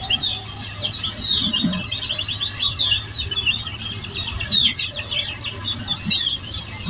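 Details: Oriental white-eye song from a therapy training recording meant to make listening birds reply: rapid high twittering with quick up-and-down chirps, continuous throughout, over a constant low-pitched hum.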